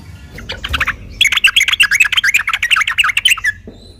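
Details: Sooty-headed bulbul, fighting, used to stir other bulbuls into song: a few quick introductory notes, then about two and a half seconds of fast, rhythmic, scratchy chattering before fading out.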